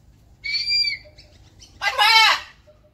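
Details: Captive blue-and-gold macaw outdoors in the morning beside a red-tailed black cockatoo; a short whistled note, then a loud, harsh, raspy squawk lasting under a second.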